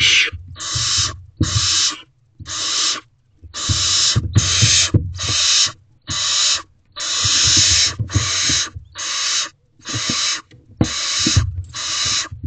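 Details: A female barn owl begs for food inside an owl box at 8:53 p.m., 5/10/23. She gives a long series of about fourteen hoarse, airy hisses in steady bursts with short pauses, and dull scuffing thumps sound underneath.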